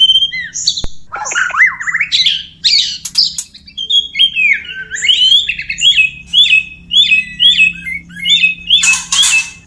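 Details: Male white-rumped shama (murai batu) courting a female. A fast run of clear, varied whistled notes slides upward, then settles into a regular series of short rising whistles repeated about twice a second, ending in a harsh burst.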